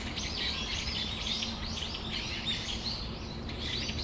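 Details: Brown-eared Bulbuls (Ixos amaurotis) in Tamagawadai Park on a December afternoon give loud, harsh, squealing calls that rise and fall, several overlapping in quick succession, over a steady low background rumble.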